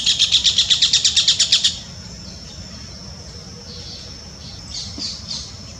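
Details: Glittering-bellied emerald hummingbird song opens with a burst of about twelve evenly spaced, high, buzzy notes in under two seconds, followed by quiet with faint thin high notes trailing later.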